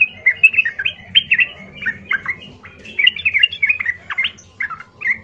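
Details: Yellow-vented bulbul giving rough, loud provoking song meant to draw replies from other bulbuls; a continuous run of quick chirpy, bubbling notes with a low rumbling hum underneath.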